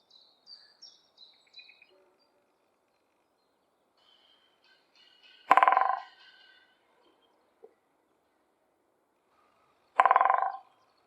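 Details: In spring, a woodpecker knocks its beak on a dry, rattling branch in a forest. It makes two short, loud drum rolls about four seconds apart. Faint high bird chirps can be heard at the start.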